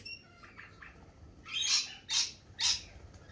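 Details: Lorikeets in spring give three harsh, grating screeches about half a second apart, after fainter high chirps from other birds.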